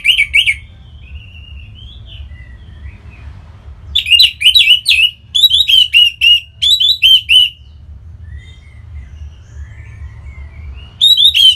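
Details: Caged orange-headed thrush from northern Bali, Singaraja, singing to stimulate other birds to sing: bursts of rich, rapid whistled and slurred phrases around the start and from four to seven and a half seconds, with softer quiet warbling between and a low hum underneath.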